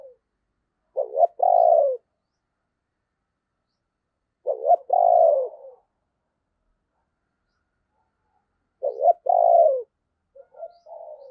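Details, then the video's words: Decoy spotted dove, said to have a thunderous voice, cooing to lure wild doves: three low, mellow coo phrases, each a short stuttered note then a longer throaty coo, spaced about four seconds apart, with a faint fragment at the end. "Tiếng Chim Cu Mồi Gáy Hay, Mở Lên Kích Bổi Cực Nhạy"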